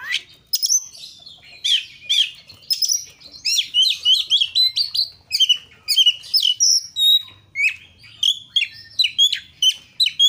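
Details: Oriental magpie-robin (kacer) in energetic 'gacor' song, used as a lure to get other kacer singing: a dense, rapid run of varied whistles, slurred upsweeps and sharp chips, almost without pause, over a faint low hum.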